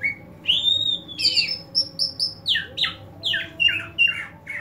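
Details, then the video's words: A greater green leafbird (cucak ijo) seen tongue-flicking (melet), not necessarily a sign of over-excitement. It opens with a long arching whistle, then gives a string of sharp chirps that slide downward, in uneven bursts, over a soft low background hum. "Cucak ijo melet"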